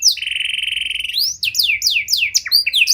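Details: Panda canary singing a 'cengkok mewah' (luxurious) style song, used as a lure to bait and train other canaries: a long steady buzzy trill for over a second, then quick descending whistled sweeps and bright chips.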